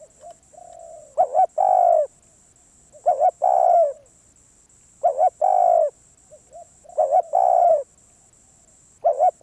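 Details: Rhythmic cooing of a very stubborn wild spotted dove: four to five phrases, each two quick coos and a long falling croo, about two seconds apart. Soft higher coos slip in between, and a steady high-pitched whine persists.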